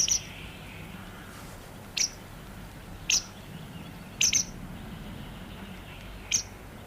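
Grey wagtail alarm calls: about six sharp, high, clipped notes, some doubled, spaced irregularly one to two seconds apart over a faint steady hiss.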